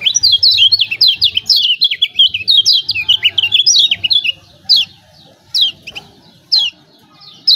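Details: Lemon-bellied white-eye of Lombok in the 'ciak ciak' style, played to draw reluctant birds into song. Four seconds of fast, dense high twittering, then single sharp notes spaced about a second apart.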